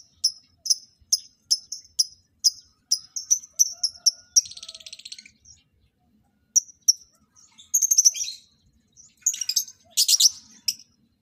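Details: Lovebirds set up as a mating pair; a regular run of bright, clipped chirps about three per second gives way to buzzy, rasping chatter and several harsh, scratchy outbursts.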